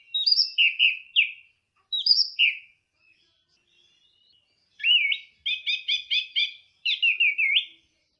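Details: Orange-headed thrush, teler-style song: short clear whistled notes and slurred chirps in bright phrases, then a rapid string of repeated notes and a final looping whistle, with brief silences between bursts.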